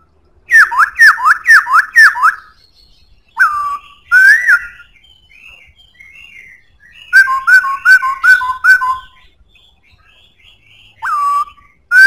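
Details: Strong-voiced black-throated laughingthrush delivering a fast burst of downward-slurred whistles, single falling and rising notes, quiet high warbling, a run of quick two-tone whistles, and one more falling whistle.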